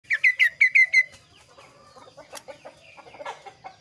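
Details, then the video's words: Kaso kaso, described as an agile, lively singer with a clear, varied voice. Six sharp, bright chirps fall quickly in pitch within the first second. Fainter, scattered chips and twitters follow until the end. "suara variasi burung kaso kaso gacor"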